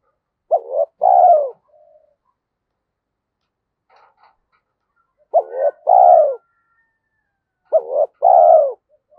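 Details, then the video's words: Caged decoy spotted dove from Vietnam cooing steadily. Three phrases arrive roughly every three seconds, each a brief clipped note and then a fuller, descending, throaty coo. Faint soft clicks sound between phrases. "Chim Cu Mồi - cu gay kich boi nhanh noi gù"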